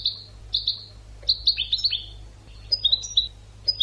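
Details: European goldfinch singing an educational song for cage birds: drawn-out buzzy notes, then a run of sliding twitters and a final string of high, clipped tinkling notes; steady low hum behind.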